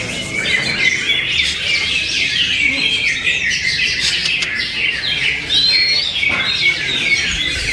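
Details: Rich, nonstop warbling from a greater green leafbird, mixing twittering trills, scratchy notes and a clear slurred whistle, delivered quickly over several seconds with little pause.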